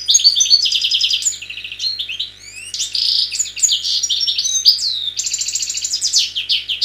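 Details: Wild Algerian European goldfinch song recorded in 2003: a fast, bright, high-pitched twittering of tinkling notes, buzzy trills and quick upward and downward slurs, delivered almost without pause over a faint low hum.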